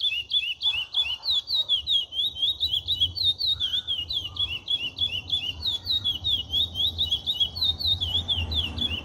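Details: Chestnut-bellied seed finch song in the cascatinha style: continuous rapid warbled phrases of looping high whistled notes, fluid and unbroken throughout, with a low background hum.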